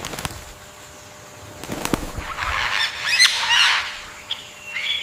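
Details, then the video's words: Indian peafowl giving a loud, harsh, honking call with rich layered tones lasting about a second. A few sharp clicks come before it, and a short higher note follows. "peacock bird, the indian peafowl, most clear sounds"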